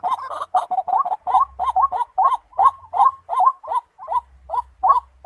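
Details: White-breasted waterhen uttering a steady series of short, upward-hooked croaks, roughly two or three per second. A faint low hum sits underneath.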